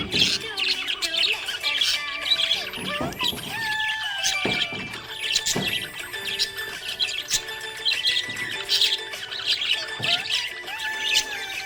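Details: Cheerful budgerigar twittering: an almost continuous stream of high, scratchy chirps and short whistled squeaks, with steady music in the background.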